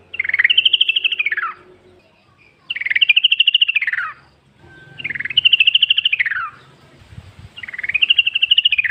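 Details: Yellow-vented bulbul singing wild in the forest, a lure meant to make other bulbuls answer. Four long arching phrases of rapid bubbly notes, each rising, holding, then sliding down, repeated about every two and a half seconds.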